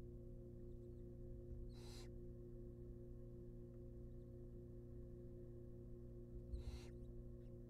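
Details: Wild barn owl chicks begging during a rabbit feed in a research nest box: two brief, hoarse hisses nearly five seconds apart, separated by quiet, over a persistent low electrical hum.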